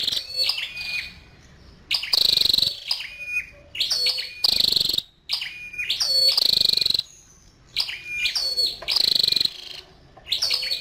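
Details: A female scarlet-backed flowerpecker repeats loud bursts of high, sharp ticking chirps with thin falling whistles, about every one to two seconds, with short silences between phrases.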